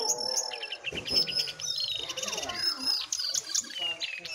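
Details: Jongkangan in a wild-versus-caged singing contest, recorded on basic equipment; rich mix of chirps, trills and long slurred whistles overlapping closely.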